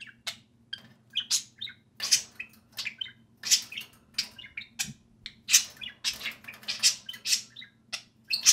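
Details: Pair of social budgerigars out of their cage, playing and talking: a busy stream of bright chirps, squeaky warbles and harsh buzzy bursts, almost continuous, in a small indoor room with a low background hum.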